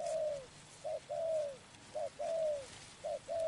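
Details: Spotted dove, trapping, delivers rhythmic mellow coos. A short note is followed by a long coo that droops at the end, three such pairs at a steady pace in a quiet setting.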